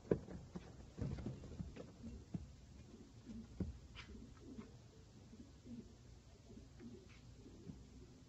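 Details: Filo pigeons giving low, throaty coos that come in soft pulses, mixed with scattered knocks, taps and rustling.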